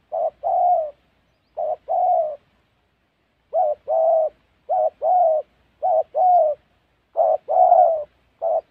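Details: Spotted dove in the wild forests of Gia Lai in Vietnam's Central Highlands, heard during trapping: six husky paired coos, short then long and falling, with a pause of about a second midway, no other sounds.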